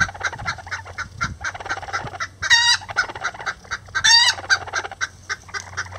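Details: Lavender bantam chickens, miniature roosters and a hen, building a nest together; rapid soft clucks in steady pulses with two louder, rising harmonic squawks breaking in, low steady hum beneath.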